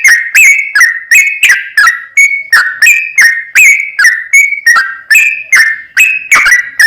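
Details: Sooty-headed bulbul in constant song, played to provoke another bird: clear whistled phrases, each note a quick slur, repeated roughly three times a second without pause.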